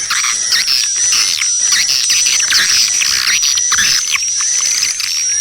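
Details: Swiftlet lure call in a style called dawn attack: dense, high, overlapping chirps and twitters without a break, loud and continuous, with a steady thin whistle-like tone running underneath.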